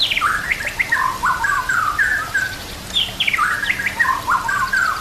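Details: White-rumped shama delivering dense, scratchy warbled phrases of descending slurs and chattering notes, repeated in two similar bursts.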